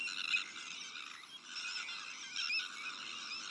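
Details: Many Sandwich terns calling at their breeding colony, where black-headed gulls, arctic terns and common terns also nest; rasping, scratchy cries overlap constantly, with a few louder sharp calls standing out near the start and near the end.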